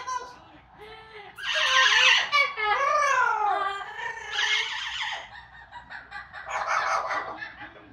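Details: Amazon parrots singing and mimicking, with opera, police siren and Pac-Man sounds in their repertoire; shrill, rapidly repeated warbling bursts and sliding tones, loudest early, then tapering into softer chatter.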